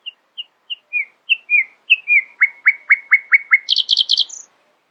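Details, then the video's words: Early-morning nightingale song: slow separate whistles that speed up into a run of sharp downward-sweeping notes, ending in a dense high rattle and a short high trill. "Nightingale screamed in the early morning, proudly displaying her poetic singing voice."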